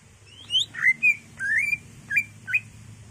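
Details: Greater green leafbird song used to goad caged birds into singing: a rising whistle, then several slurred, rolling whistled notes and two short clipped chirps over a faint background hum.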